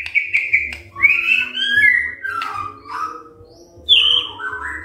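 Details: White-rumped shama song played in the morning to make other birds sing in reply: clipped whistles, gliding phrases stepping downward, a brief quiet spell, then a high whistle dropping lower; low rumbling hum throughout.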